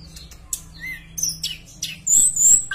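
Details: Javan bush lark in lively full song, played as a lure to make other bush larks sing: brief high chirps, a rising whistle, buzzy bursts and a sharp ringing high note near the end over a low steady hum.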